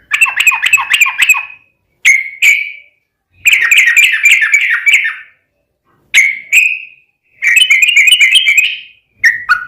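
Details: Sooty-headed bulbul in energetic 'ropel panjang' song, used to lure other birds into singing: several fast chattering bursts separated by pauses, with pairs of single sharp notes between them.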